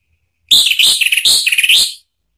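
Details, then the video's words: Lure song of an Orange-headed thrush, meant to make a rival thrush angry enough to sing back: one rapid phrase of about a second and a half, packed with varied high chirps and trills, then it stops cleanly. "bikin ANIS MERAH EMOSI NYAUT NGEPLONG ¦ PANCINGAN AM ¦ TERAPI MACET"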